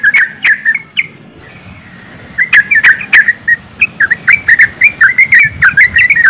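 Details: Group of yellow-vented bulbuls heard as lure audio: a few sharp notes, a quiet stretch, then rapid bubbly chirps pouring out continuously with faint background noise.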